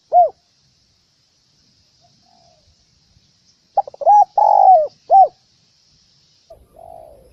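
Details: Lure recording for trappers of a spotted dove: a single coo, a pause, then a full phrase of stuttering notes, a long coo and a closing coo, followed by a faint coo at the end.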